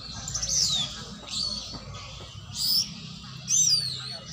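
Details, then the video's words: Oriental magpie-robin (kacer) during a training session: four short, separate high whistled phrases, some sliding downward, spaced about one second apart, with quiet low background hum between them. "latihan burung kacer"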